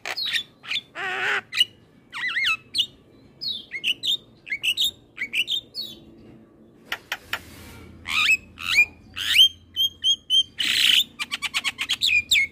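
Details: Black-winged starling singing, as master material for training young birds: a busy, varied medley of harsh squawks, wavering whistles and rapid chattering notes, nearly continuous.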